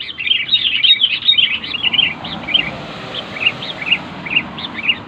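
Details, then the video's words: Sooty-headed bulbul giving a loud, clear song, played to prompt quiet bulbuls into singing: quick bright chirps and short whistled notes in dense runs, then more spaced chirps over faint background hiss. "SUARA BURUNG KUTILANG NYARING"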